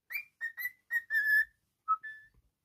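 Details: Cockatiel kept as a pet gives a brief burst of clipped whistles followed by a longer level whistle, a pause, then two short falling and steady tones.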